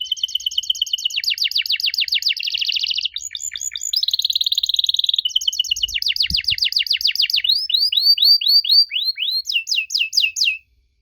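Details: Long canary song aimed at making young canaries answer: varied trills and buzzy rolls, fast pulsed series, then a string of looping slurred whistles and a final quick trill.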